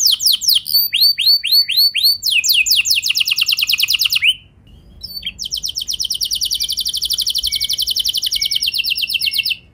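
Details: Canary lure song meant to set off other canaries: crisp downslurred notes at a steady beat, a quick trill, a brief pause, then a long, even, rapid roll held for about four seconds.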